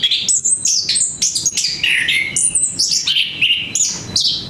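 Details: Orange-headed thrush singing sweetly, stringing together bright whistled notes that jump between high and middle pitches, with downslurred phrases and crisp accents in a steady, unbroken stream.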